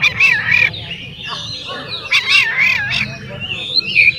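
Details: Oriental magpie-robin song meant to provoke other magpie-robins: a continuous run of wavy, warbled whistles and slurred rising and falling notes, with some harsher squeaky phrases and a low background hum.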